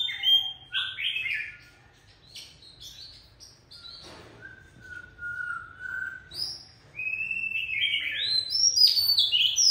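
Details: Wild-caught adult Oriental magpie-robin giving a sharp, feisty song: clipped notes, then a long level whistle held about two seconds, ending in bright rising and falling phrases with a low hum beneath.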